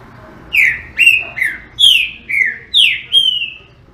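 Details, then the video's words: Strong whistled song of a green-winged saltator: a steady series of seven bright notes, each dropping slightly in pitch. The last note is drawn out and held before it fades, over near silence. "TRINCA FERRO CANTADOR"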